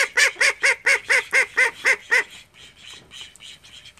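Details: Call duck from a home flock of thirteen uttering a run of nine loud, nasal quacks at a steady pace, then fainter duck chatter continuing in the background.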